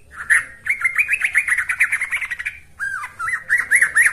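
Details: An actively singing Yellow-vented bulbul, used as a lure and tutor call, sings a fast run of bubbly, warbled notes, then a short pause and a few looping, rising whistled phrases.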